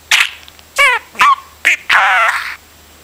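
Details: Pet budgerigar sounding like a broken record: five quick bursts of wavering, warbled squawks within about two and a half seconds, the final one drawn out and strongly quavering.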